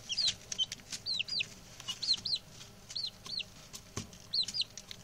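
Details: Six male chicks just brought home call in piercing, descending cheeps, spaced about every half second to second, some doubled, amid faint rustles and a single knock.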